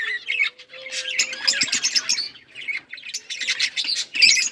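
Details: Australian parrots chirping together, a dense chatter of overlapping high squeaks and warbles with brief pauses, plus a faint steady low tone in the background.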